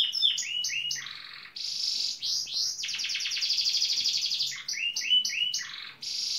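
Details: Male Gloster canary singing near a building site, said to mimic site machines such as a pneumatic drill and digger; rapid canary song of repeated falling chirps, buzzy rattling trills and fast rolling phrases, loud and continuous.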